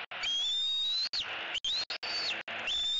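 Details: Fledgling bald eagle in Southwest Florida, 16 March 2018, squealing excitedly at a fish gift its father brings to celebrate its first fledge and return to the nest. Loud, high whistled squees, each rising then held about a second, repeated three times with brief gaps.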